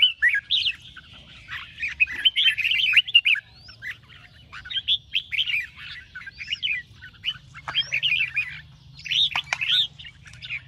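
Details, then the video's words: Red-whiskered bulbul trained for singing competition, morning ché-style song: repeated bursts of rich warbled whistles, some phrases slurring downward, a couple of clicks midway, steady faint hum underneath. "chào mào hót sáng QUÁ HAY - CHÉ KÍCH BỔI CĂNG ĐÉT"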